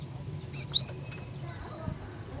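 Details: Female cinereous tit calling to males, two loud, sharp high chirps in quick succession, the second slurring upward, followed by faint thin notes and light background noise.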